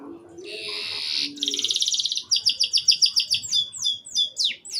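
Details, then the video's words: Canary singing in short phrases meant to prompt juvenile canaries to start singing: a buzzy trill flows into a fast series of repeated chirps, then slower sweeping whistled notes. "RANGSANGAN DAN PANCINGAN KENARI PAUD AGAR CEPAT BUNYI DAN GACOR - kenari lain langsung respon"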